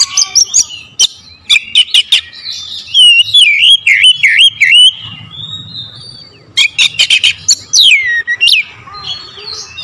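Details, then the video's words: Sharp oriental magpie-robin lure song: quick clicking notes, a long undulating whistled phrase dipping repeatedly, a brief pause, then another volley of clicks and a swooping whistle. "PANCINGAN KACER POWER JELAS TEMBAKAN PEDAS"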